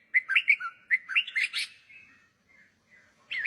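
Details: A brief red-whiskered bulbul phrase for training young birds to sing. A fast string of clear whistled notes falls away into silence, then a new phrase begins at the end.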